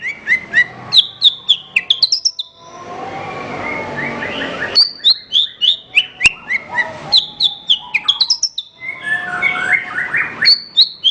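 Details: Horsfield's bush lark song from a recording for training other songbirds: rapid bursts of sharp high chips and slurred whistles, broken by a short noisy rushing passage, then more chattering chips, with faint lower whistles behind.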